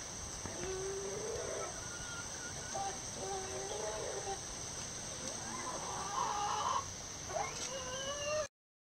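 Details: A Gold Sebright bantam backyard rooster, having joined a hen's egg song, crows from a roof to the other chickens in several broken, strained phrases, rising then falling, over a steady high hiss.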